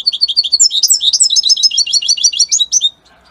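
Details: European goldfinch of Italian type delivering a rapid cascade of high, tinkling chirps and twitters, notes packed closely for about three seconds before stopping abruptly.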